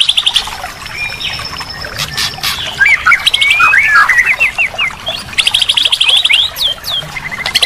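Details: Murai batu (white-rumped shama) masteran with rich fill-in phrases, played to make a silent bird sing again: scattered high notes, a scratchy twittering run of slurred chips, and a bright fast high trill near the end.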